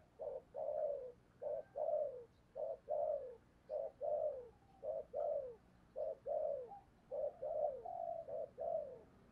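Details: Decoy spotted dove calling to lure wild doves, heard at some distance. Short, hollow coos fall in a steady series less than a second apart over constant background hiss.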